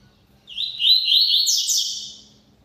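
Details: Double-collared seedeater singing a lot, here one loud, rapid, high warbled phrase of tumbling buzzy notes, rising in strength then trailing away, with nothing else clearly heard.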